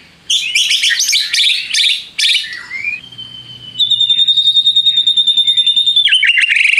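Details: White-rumped shama song played to provoke rival shamas into singing. Scratchy chattering phrases lead into a long, high, evenly pulsed whistled trill, ending with a quick falling flourish.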